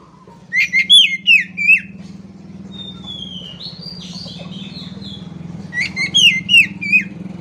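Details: Singing Oriental magpie-robin, known locally as kacer, delivering two bursts of sharp, slurred whistles, each about five notes fast, separated by a soft buzzy warble and constant low background hum.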